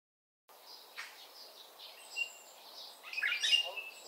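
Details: Oriole calling: soft, blurred high notes at first, then a loud harsh, buzzy burst with a sharp whistled edge near the end, while other faint chirps sound in the background.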